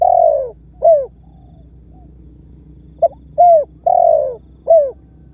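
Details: Lure calling from a spotted dove, meant to prompt other birds to answer. Low mellow coos: a long coo and a falling coo, then after a pause a short note, a coo, a drawn-out coo and a final falling coo.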